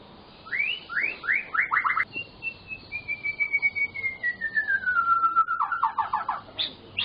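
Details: White-rumped shama singing vigorously with varied fill-in phrases, intended to prompt silent shamas to sing: a series of rising notes, a long sustained whistle sliding slowly downward, then rapid repeated trilled notes.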